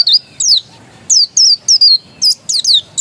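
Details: Original dakun pleci, an Oriental white-eye; high, thin whistled notes sliding downward, given singly and in close pairs with brief pauses, clean and loud against a quiet background.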